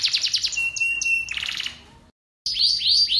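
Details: Singing canary whose long song is played to get other canaries singing; rapid high trill, a flat held whistle and a buzzy roll, a brief silence, then loud rising swept phrases repeated in quick succession.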